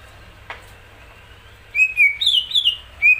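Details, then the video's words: Greater green leafbird, a kept singing bird, gives loud, clear whistled notes after a quiet start, rising and falling in a quick series, ending on one more sharp whistle. "cucak ijo gacoran"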